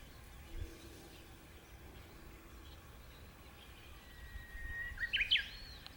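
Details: Japanese bush warbler singing early in the morning in the mountains, heard while gathering bracken; near the end a faint, brief song: a steady drawn-out whistle followed by a quick flourish of sharp notes, over quiet rural background noise.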